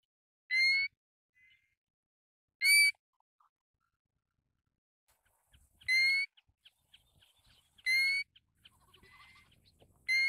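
A Pacific golden plover gives five clear, whistled, slightly slurred calls, each short and spaced two to three seconds apart, over a quiet background.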